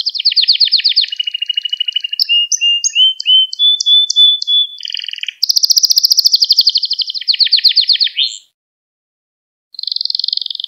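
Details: Canary lesson song played to teach young canaries: a rapid trill, a run of clear whistled notes, buzzy rolls, a long pulsing tour that steps down in pitch, a pause, then another rolling phrase.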